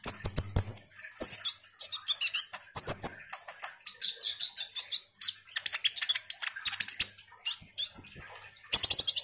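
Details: Energetic Common iora song meant to provoke other songbirds into answering: a long, varied stream of high twittering, chirps and slurred whistles, almost continuous with brief breaks.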